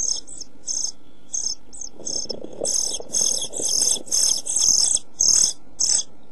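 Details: European pied flycatcher chicks begging in a nest box on 27 June 2013, during food shortage and heat. Scattered short hissing notes build into longer, louder rasping bursts midway, then ease off again.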